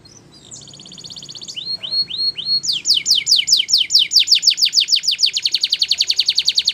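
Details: Belgian canary song meant for canary training: a soft opening trill, three rising whistled notes, then a run of sweeping downslurred notes speeding into a fast, even high trill.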